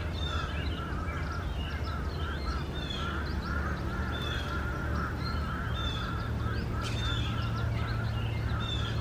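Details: Starlings at a nest box with four young, recorded 4 May 2019 as adults come and go: a busy stream of short chirping notes and sharper squeaks over a constant low rumble.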